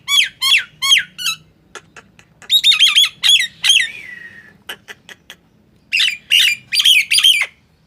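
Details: Nias hill myna song played to get mute mynas calling: bursts of loud, sharp whistled squawks with downward-curving notes, separated by short gaps and soft clicks.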